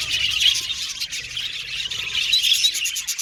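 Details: Aviary colony of Australian budgerigars chattering: many birds twittering at once in a high, warbling stream, swelling louder near the start and again toward the end, with occasional sharp chirps.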